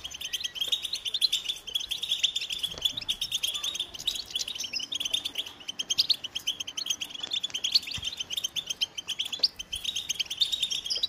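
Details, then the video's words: Continuous fast twitter of a European goldfinch, a busy stream of high, thin chirps and trills that runs without pause, fairly soft, over quiet background hiss. "Goldfinch motivating songs"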